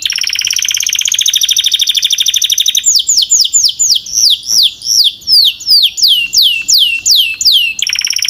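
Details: Strong, clear song from a Belgian canary: a dense buzzy trill for nearly three seconds, then a series of loud descending whistled notes repeated about twice a second, ending in another buzzy roll.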